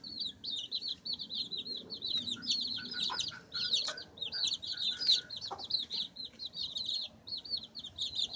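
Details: Baby chicks pecking and scratching, with a steady stream of high rising-and-falling peeps, about one and a half per second, and soft tapping and scratching sounds underneath.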